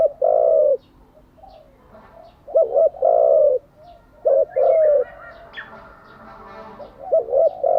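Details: Spotted dove cooing, used daily to train decoy and newly caught doves; loud two-part coos, a brief doubled note then a drawn-out one, repeated several times, with soft chirping from other birds between phrases.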